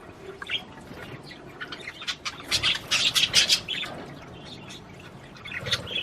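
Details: Budgerigars warbling to prompt mating: rapid harsh clicking chatter, about three notes a second, swelling to a loud burst of buzzy squawks in the middle before quieter chirps return.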